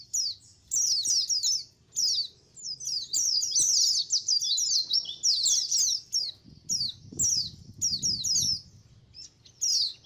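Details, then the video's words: Colony of white-eyes used as a lure to draw wild birds, giving dense high chirps and short descending twittered notes in overlapping bursts, with brief pauses between bursts. "SUARA KOLONI PLECI COCOK BUAT PANCINGAN PLECI AGAR CEPAT NGALAS | SUARA PIKAT BURUNG PLECI"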